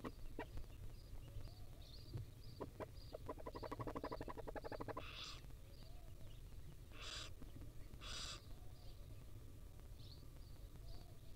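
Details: Tiny wild barn owl chicks being fed by the female at the nest: a rapid rattling clicking run, then three loud, raspy, hissing screeches spaced one to two seconds apart, with faint high chirps and a low steady rumble.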